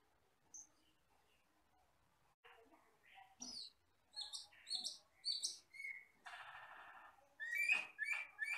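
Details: Forest-living Asian glossy starling in a tutoring recording: quiet opening, then a series of sharp high squeaky chips about twice a second, a drawn-out harsh rasp and loud piercing downslurred whistles.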